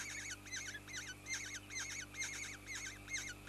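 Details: Black-naped oriole raising its young, with a fast run of sharp, high, chevron-shaped chattering notes repeated more than twice a second, and a faint steady low hum underneath.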